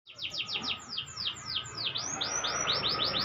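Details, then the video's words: Caged canary learning to sing in the ngeplong style, giving a fast series of steeply falling whistled notes that turn into rising sweeps, repeated several times a second with a steady low hum underneath. "Burung kenari belajar ngeplong"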